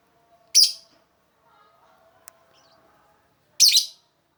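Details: Lovebird calls used as a lure to attract other lovebirds: two short, harsh, high-pitched chirps about three seconds apart, with faint low background hum and a soft click between them.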